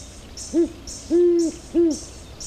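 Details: Deep hooting of a great horned owl (Bubo virginianus) from Ecuador: a short hoot, a longer sustained one, then another short hoot, low and mellow, against a constant high-pitched insect chorus.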